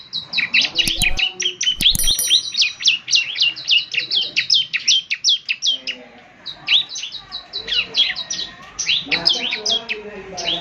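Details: Ciblek semi in lively 'gacor' form, meant for morning playback so other birds answer: dense rapid high chirped notes, each sliding downward, in near-continuous bursts with a short pause mid-way, a few faint low clicks early on.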